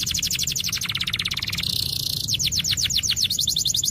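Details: Vigorous canary song for coaxing silent canaries to sing: rapid high rolling trills, a brief buzzy stretch in the middle, then slower sweeping repeated notes, loud and continuous.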